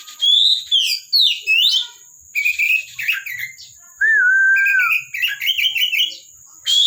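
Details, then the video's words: Oriental magpie-robin (kacer) from a bird collection, singing: rising and falling whistled slurs, chattering phrases, a long clear whistle that drops at its end, more twitters; steady faint electronic whine behind. "KACER GACOR"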